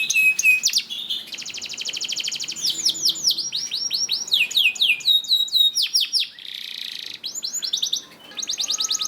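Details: Singing canary used as a training song for other canaries, a dense, varied stream of fast rattling trills, repeated downslurred notes and sharp rising whistles with almost no pauses.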